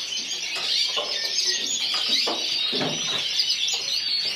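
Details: Caged yellow frosted lipochrome canary, individual runner-up at a 2014 singing competition in Burgos, Spain, delivering a dense, continuous high warble of fast trills, with broad background noise beneath.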